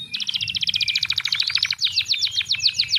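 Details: Canary song used as a lure to coax lazy, reluctant canaries into singing: a fast, even trill of high repeated notes, then a slightly slower run of rising-falling notes, with a faint low hum beneath.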